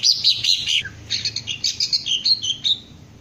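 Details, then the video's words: Bright, high Green leafbird notes come in a quick tumbling phrase, then a series of separate sweeping chirps. The bird is being trained to crest up and sing ngentrok. "Cara melatih Cucak Ijo agar mau njambul dan ngentrok"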